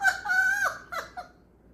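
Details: Pet African grey parrot, a male, giving his picked-up human laugh: one sustained, nasal, harmonic note that drops at the end, followed by two short descending chuckles.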